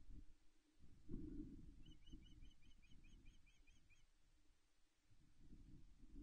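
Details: Nest-camera recording of an osprey pair mating at Loch Arkaig, 17 May 2021: a knock, then a quick sequence of ten or so piping, down-slurred chirps over two seconds, set against constant low wind rumble.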